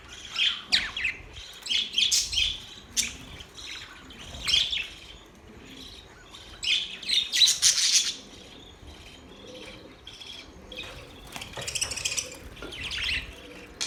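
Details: Budgerigars twittering in irregular clusters of quick, high, buzzy chirps, some louder bursts around eight seconds, softer chatter continuing toward the end.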